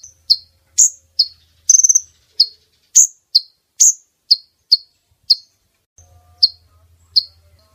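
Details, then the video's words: Lure call of a female brown-throated sunbird meant to bring males within reach: a steady run of sharp, high, downslurred chirps with one brief stuttered trill, slowing toward the end as a faint low hum appears. "Pemikat kolibri ninja jantan,||, suara konin betina!!"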